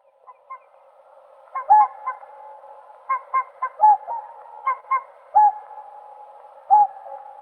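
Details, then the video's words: Whooper swan giving loud, short honking notes, some doubled, in scattered bursts over a low constant murmur of other swan voices; stronger honks land near 1.7, 3.8, 5.4 and 6.8 seconds. "Голоса птиц Как поёт Лебедь кликун (Cygnus cygnus)"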